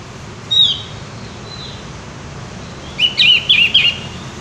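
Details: Javan white-eye in full song, a short high whistled note followed by a rapid run of bright, wavering chirps near the end, against a steady low background hum.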